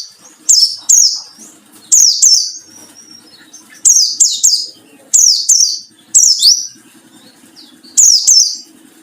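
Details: White-eye in wild-style song as a lure to provoke rivals: repeated pairs of loud, high, sharply descending notes roughly every two seconds, with a low buzzing hum underneath.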